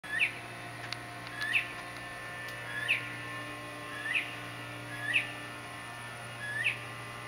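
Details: Male northern mockingbird singing to attract a mate, using songs copied from other birds: a short upslurred whistled phrase repeated about every 1.2 seconds over a steady low hum.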